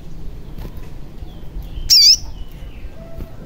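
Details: Sogon chirp from a recording played to coax a lazy or silent caged sogon into singing: one loud, brief, high wavering note standing out against quiet low hum.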